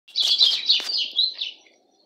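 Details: Pet Rusty-collared Seedeater (golado) singing: a brief burst of bright, high chirps and twittering notes with a few sharp downward strokes, lasting about a second and a half, then fading.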